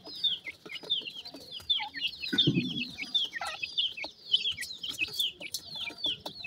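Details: Newly hatched black (jora) partridge chicks peep nonstop: high, thin, down-slurred cheeps from several birds, a few each second, with a brief low rumble partway through.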